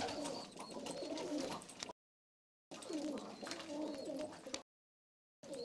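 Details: Istanbul pigeons, hazel- or red-eyed, coo in three bursts separated by silences; each burst holds deep, rolling, rising-and-falling coos over light clicking and rustling indoors.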